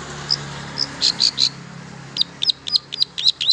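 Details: Long-tailed shrike song for coaxing silent shrikes to sing: soft high chirps in small groups, then a quick repeated series of thin sharp notes, with a low background hum.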